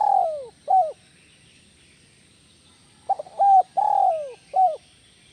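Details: Two cooing phrases of a spotted dove (tekukur), 'kuk 1 melambung' style: the first ends with a falling long note and a short kuk, then after two seconds of quiet a full stuttered, arched, descending and clipped sequence repeats.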